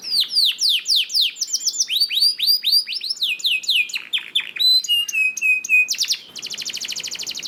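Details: Canary singing, a recording meant to prompt other canaries to sing: a fast varied run of repeated downward-sweeping whistles, steady high notes and, toward the end, a dry rapid trill, all bright and high-pitched.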